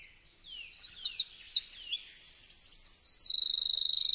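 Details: Eurasian wren song recorded on a Zoom H6: a fast, loud high outpouring of varied notes, a run of repeated rising whistled notes, ending in a long rapid dry trill, with no other sounds.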